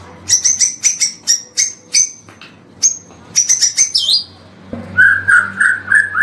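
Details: White-rumped shama (murai batu) in a long morning training recording: high whistled notes repeated in quick clusters, a short falling whistle, then lower rolling warbled phrases near the end.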